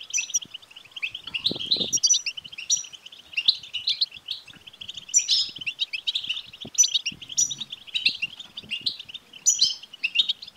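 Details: European goldfinch in long betbta chatter, used to provoke a male goldfinch into singing: ceaseless rolling twitter with high buzzy flourishes recurring roughly every second, and faint low rustling noises in the background.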